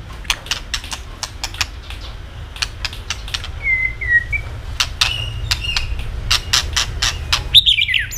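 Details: White-rumped shama singing to provoke other birds into song: rapid dry clicks, the continuous tạch notes, repeated throughout, with a few short faint whistled slurs in between.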